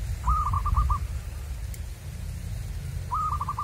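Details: Local Indonesian zebra dove, wild-caught by lure trapping, giving two clear cooing song phrases about three seconds apart, each a brief rising note followed by quick, evenly spaced mellow coos over a low rumbling background.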